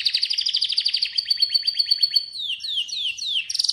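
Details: Atlantic canary singing a fast pulsed trill that turns into a smooth whistled note, followed by three sweeping downward slurs and a final buzzy high burst.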